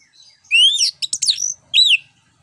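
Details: Orange-headed thrush song meant to coax other birds into singing: a rich phrase of rising and falling whistles mixed with rapid buzzy trills, closing with a clear looping whistle.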